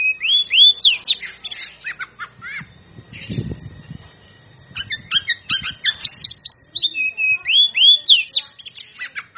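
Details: Oriental magpie-robin in ngeplong song aimed at challenging rivals: bright, upslurred whistles and rapid chattering notes. The song breaks off midway for a brief, low, muffled rustle, then resumes with dense, sweet, varied phrases.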